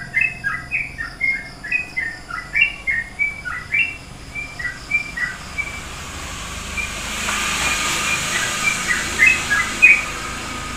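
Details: Yellow-vented bulbul delivering a long run of bubbly, gurgling phrases repeated about every half second, then fading as a passing vehicle's rushing noise rises, with a few bright notes near the end.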